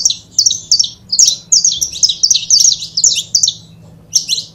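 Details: Saffron finch pair, described as good for 'foguear', giving quick clusters of bright, slurred high chirps that start sparse, thicken into a rapid chatter, then stop before one final burst; steady low hum beneath.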